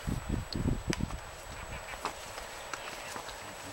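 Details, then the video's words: Waved albatross courtship ritual at Punta Suarez, Española, Galapagos: a quick burst of hollow, rapid clattering knocks in the first second, then softer scattered taps over steady wind-like background hiss. "Waved Albatross Courting Ritual"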